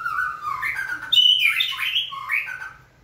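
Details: Trained White-rumped shama, prompted to sing: a short varied phrase of fluty, wavering whistles that jump between low and high notes, then fade out.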